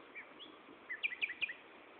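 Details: Common nightingale at Gaasperzoom, 16 May 2012, 15.30: soft lead-in notes followed by a rapid string of three or four emphatic, downward-slurred chirps, over a hissy background.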